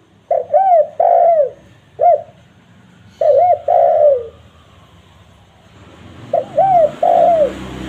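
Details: Spotted dove lure call used to attract wild doves in forest and gardens: short groups of soft, low coos, each phrase a clipped note followed by a drawn-out falling hoot, repeated with pauses of a second or two.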